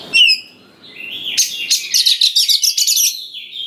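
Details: Oriental magpie-robin in vigorous song, used to rouse young forest birds. A sharp whistled note, then a long run of rapid, scratchy, pulsed notes over a steady whistled tone.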